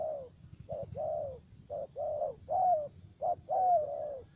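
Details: Decoy spotted dove at a trapping site in U Minh, Cà Mau, Vietnam, with a three-part voice: low mellow coos with slightly falling ends, some short and some drawn out, spaced irregularly over quiet background hum.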